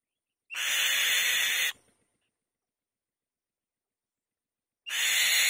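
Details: A white-tailed kite crying from its nest: a rasping, hissy scream of just over a second, a long quiet pause, then a second identical scream begins about four seconds later.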